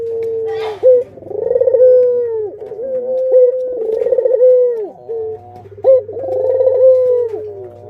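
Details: Captive Barbary doves, adults with their young, kept as pets: loud, mellow cooing phrases, each a rolling, pulsing rise that levels into a long steady coo and drops at the end. Three phrases come in succession over a low steady hum.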